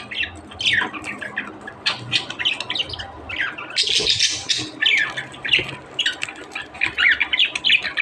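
Budgerigars chatter in a steady stream of warbled squawks, chirps and scratchy clicks.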